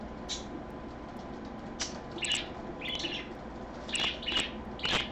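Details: Parakeet, kept indoors and filmed live at 3 PM on Sunday, 24 August 2014, chirping in bright, sharp notes spaced irregularly, some doubled, against a constant low background hum.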